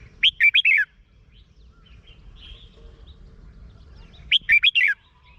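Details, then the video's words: Caged red-whiskered bulbul song from Thailand, played to excite caged birds: two bright bursts of four or five quick warbled, rising-and-falling whistled notes, about four seconds apart, over a low background hum. "เสียงนกกรงหัวจุก สำหรับต่อ หรือ เปิดให้นกคึก เสียงเพราะๆ"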